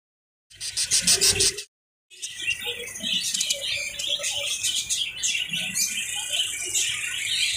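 Lovebirds chatter in a steady stream of sharp, high chirps and twitters, a loud burst first, then a short silence before the busy chirping resumes.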